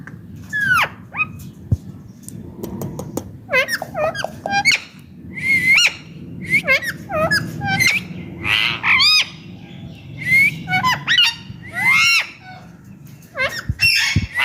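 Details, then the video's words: Pet Indian ringneck parakeet calling almost nonstop: rapid strings of shrill, arching squawks and screeches, several per second at times, over a low background rumble. "Ringneck parrot natural voice"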